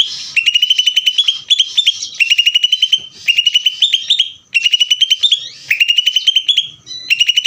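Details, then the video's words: Greater green leafbird in ngeder song, producing six or seven fast, rattling runs of high, sharp notes over seven seconds, each run rising slightly in pitch and ending abruptly. "cucak ijo ngeder"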